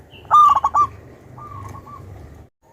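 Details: Zebra dove of local wild stock delivering a strong phrase of quick rolling, bubbling coo notes, followed by a fainter, drawn-out coo over a steady low hum.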